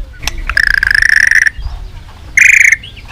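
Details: White-rumped shama song, played to stimulate shamas into heavy singing: two loud, clear, sustained whistled notes, the first steady and level, the second shorter and slightly higher, separated by a quiet pause with faint background hiss.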